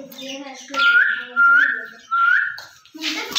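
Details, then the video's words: Pet green rose-ringed parakeet, ringneck parrot, being taught to talk using a mirror: three loud, clear rising whistled notes in quick succession, with a person's voice talking underneath. "RINGNECK PARROT SOUND | سبز طوطوں کی باتیں"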